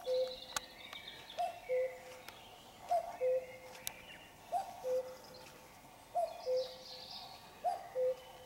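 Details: A common cuckoo sings before dawn at 5 a.m. on a Sunday while it is still dark. It repeats a soft, hooting two-note 'cuck-oo' about every one and a half seconds, falling from the first note to the second, with faint birdsong behind.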